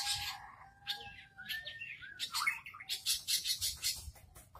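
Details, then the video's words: Long-tailed shrike kept in a cage outside a house, singing busily: a low drawn whistle, then rising slurred notes and a fast run of scratchy, high chirps repeated several times a second. "CIRI-CIRI CENDET SUDAH MAU GACOR, DI TARUH DEPAN RUMAH AJA NGGACOR TERUS"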